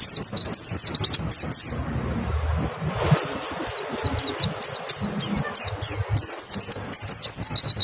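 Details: White-eye singing a clear lure song to provoke other white-eyes into song. Rapid high, thin downslurred notes come in bursts, pause for about a second, then return as a brisk, evenly spaced series.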